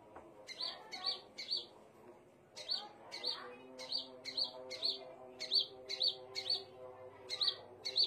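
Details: Scarlet minivet giving bright, high whistles in quick series, roughly two notes a second, pausing briefly after the opening notes, while faint low steady tones hum in the background.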